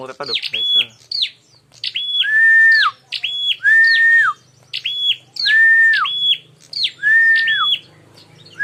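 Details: Bar-winged prinia, a recording meant to lure prinias into fighting: loud alternating phrases of steeply falling high chirps, flat high notes and long lower whistles that slide down at the end, repeated steadily in rapid bursts.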